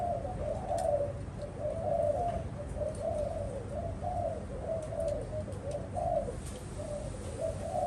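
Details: Spotted dove raised by a keeper, with a low, mellow cooing series of smooth, slightly wavering notes over a background hum and light clicks.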